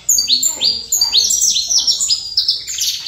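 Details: Short burst of saffron finch song, a continuous string of bright, high, descending chirps in quick succession.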